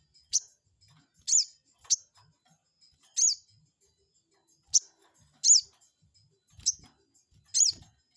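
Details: Lure calls of a crested jay, used to rile a rival into calling back: eight piercing high chirps, each short and slightly bent downward, repeated irregularly about once a second over a quiet background.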